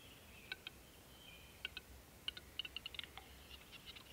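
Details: Male Western capercaillie lek song at a March lek, Krasny Bor, 6–18 March 2015: sharp, dry clicks, first spaced apart, then quickening into a rapid run of taps, over a faint steady hiss.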